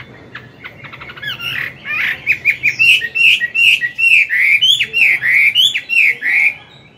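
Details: Captive Chinese hwamei, an old wild-caught bird, singing in the morning: loud, varied whistled phrases, rising and falling about three notes per second, after a quick burst of dry clicking notes.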